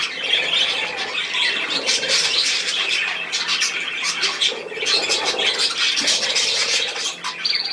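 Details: Budgerigars recorded on 10 June 2024, a dense flock chatter of harsh squawks and chirps, rapid overlapping bursts running continuously with no pauses.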